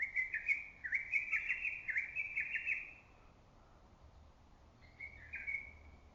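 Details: Early-summer lesser cuckoo whose voice carries through valley and forest: a long, rapid stuttering phrase of many notes lasting nearly three seconds, then a shorter phrase after a pause.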